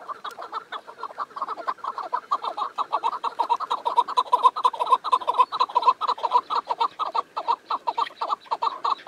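A chukar partridge gives a rapid run of harsh, clucking chuk notes, about two per second, with energy centred in the low-middle register.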